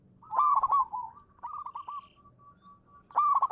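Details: Champion local zebra dove (perkutut lokal) lure bird performing manggung song: a loud trilled coo burst, a softer run of descending coo notes, a quiet steady hum, then another loud trilled burst.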